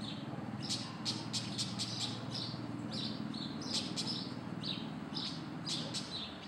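A White-banded mockingbird sings a run of varied chirps and clear, slurred whistles, many notes falling in pitch, over a steady low hum of traffic or machinery.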